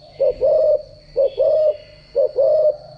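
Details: Spotted dove decoy voice for daily cooing practice: three soft, low double coos, each a brief note followed by a longer held one, about a second apart, over a constant thin high-pitched whine.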